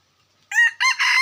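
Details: Red junglefowl, a wild chicken recorded in 2021, gives a loud harmonic crow in three rising and falling segments, beginning abruptly after half a second of silence.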